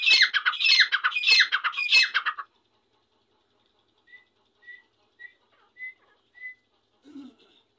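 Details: Grey francolin, named Irani dakni teetar, with about two and a half seconds of harsh, grating, rapidly repeated notes, followed by quiet with five faint short whistled notes spaced about half a second apart and a low soft note near the end.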